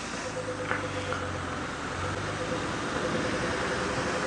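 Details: A vehicle engine idles with a low steady hum and broadband noise, with no clear animal calls.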